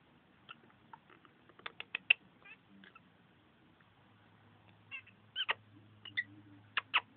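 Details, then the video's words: Female and male pet lovebirds playing at their nest, giving a series of short, sharp squeaky chirps, loosely clustered, some single and some in quick pairs, over a faint low hum. "Lovebirds and their nest"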